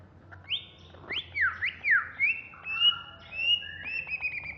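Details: Agitated singing of a caged greater green leafbird of Alas Purwo origin: rich whistled phrases with steep up-and-down slurs, then long flat and gently wavering whistles, with a low hum in the background.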